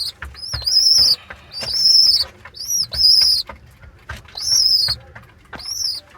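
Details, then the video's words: Two squabs, young pigeons, give loud shrill 'chu-chu' squeaks, each slightly arched and under a second long, spaced roughly every second with soft clicks in the gaps. "Baby pigeon squeaking sound"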